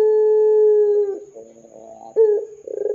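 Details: Ringneck dove coo meant to make other doves join in: a long, even, hollow note sliding down, a soft murmuring stretch, then a sharp rising note and throbbing rapid pulses.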